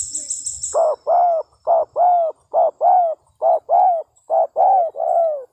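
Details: Spotted dove, described as a frequent singer and used for luring doves, giving low mellow coos in quick short-long pairs, about a dozen notes, after a brief burst of high thin chirps from another bird at the start.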